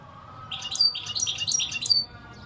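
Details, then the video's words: European goldfinch song as one lively phrase of about one and a half seconds, a tumbling mix of bright chirps, slurred whistles and quick trills. "اقوا واجمل تغريد حسون"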